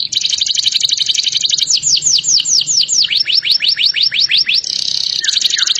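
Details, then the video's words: A canary's song with dense high trilling, then a run of crisp descending whistled notes about four per second. The notes shift to a lower series and close in a buzzy rattling trill with a low hum beneath. "Mengerikan sekali dengerin kicauan kenari ini"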